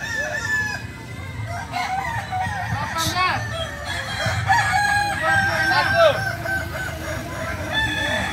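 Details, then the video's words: Kukuak balenggek roosters crowing together at an AMKO training competition; long multi-syllable crows with rising and falling arcs overlap throughout, alongside clucks, a sharp noise burst and low rumble. "Ayam kukuak balenggek"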